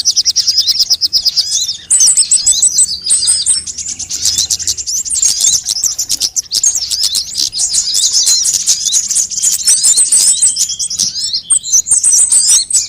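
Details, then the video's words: Lure recording of assorted sunbirds meant to attract birds and make them call: a long, steady stream of shrill, scratchy twittering and high tinkling notes, densely layered with almost no pauses. "suara pikat semua jenis burung kolibri"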